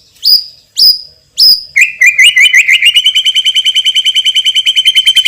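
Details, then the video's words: White-rumped shama song with loud, strong phrasing: three sharp upswept whistles, then a long rapid run of repeated chattering notes, about six per second, continuing steadily to the end. "MURAI BATU juara isian super PEDAS_suara lantang dan keras"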